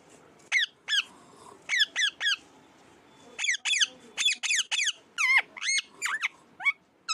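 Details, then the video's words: Pet parrot, said to talk a great deal, makes varied high calls indoors: single and paired downward-sliding squawks, some with rising or bent shapes, in irregular bursts over several seconds. "my cute parrot talking so much"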